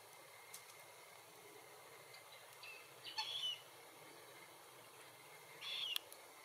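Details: Wild Glossy Black-Cockatoos of subspecies lathami feeding on Allocasuarina verticillata seeds in Capertee Valley: two rasping, wavering calls spaced about two and a half seconds apart, heard over faint background hiss.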